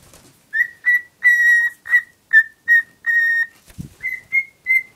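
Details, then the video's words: Cockatiel hen, a pet infatuated with a cuddly toy, whistles a regular series of clear notes, one long level whistle among shorter ones, interrupted by a brief low thump, then three rising whistles. "Valkparkiet Lola fluit deel 2"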